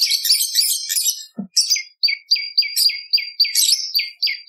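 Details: Bar-winged prinia song used as a lure and as a tutor for other songbirds: a jumbled burst of high chirps, then a fast run of sharp descending notes repeated about three to four times a second.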